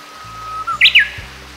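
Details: A Japanese bush warbler in hilly countryside in Kita-Harima, Hyogo, Japan, sings a faint, steady whistled "hoo" then a bright, quick rising-and-falling "hokekyo" flourish, over a low hum. It repeats tirelessly, sometimes with run-up or unusual variants.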